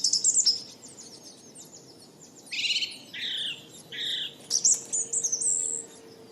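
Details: Lovebirds chirping over a steady low hum: rapid high ticking twitter, a few loud buzzy squawks, then shrill whistled squeaks.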